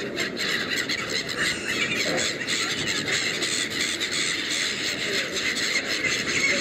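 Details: A hungry crowd of Black-headed gulls feeding along Westminster Embankment by the River Thames, London, keeps up a steady wash of harsh, high squealing cries that overlap without pause, with faint distant voices beneath.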